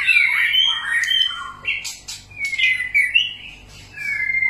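A White-rumped shama sings rich, varied whistled phrases, some sliding and some sharp and chattering, with brief pauses between bursts; nothing else is heard.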